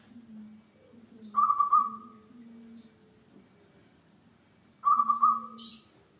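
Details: Active local zebra dove used as a lure for other songbirds: two pulsing, trilled coos roughly three and a half seconds apart, each fading at the end, over a low steady hum, plus a short high chirp from another bird.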